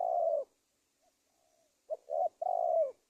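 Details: Spotted dove call serving as a trapping lure for wild doves, Indonesia: a long falling coo, a pause, then a short note, a double coo and another long, gently descending coo.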